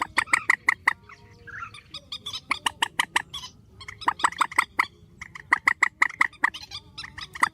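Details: Grey-headed swamphen giving a strong call at night, spliced from several takes: dense runs of loud, harsh, clucking notes in rapid series, pausing briefly midway before resuming.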